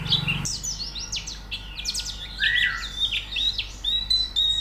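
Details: White-eye song played as training to make a bird sing: a brief low buzz opens, then a busy run of high chirps, downslurs and a longer falling whistle with sustained thin tones.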